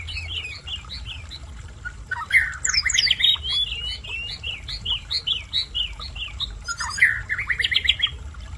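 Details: A mountain flowerpecker (tledekan gunung) still learning to sing delivers rapid, high twittering chirps and squeaky notes in a busy run, pausing then resuming, with a soft water-like rush beneath.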